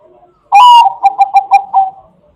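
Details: Song of a Bangkok zebra dove, used as a lure for other doves. A loud, drawn, slightly rising opening coo breaks into a stuttering series of about five short, rapid cooing notes that fade out.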